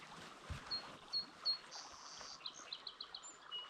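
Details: A song sparrow by the Lower Owens River near Bishop, California, sings three high, clear introductory notes, then a buzzy note and a quick descending series of chips, over a steady hiss of moving water.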